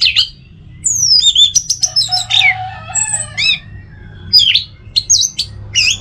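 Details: Orange-headed thrush kept at home in North Bali sings a busy jumble of descending whistles, twangy chirps and a soft low warble, phrases tumbling quickly one after another.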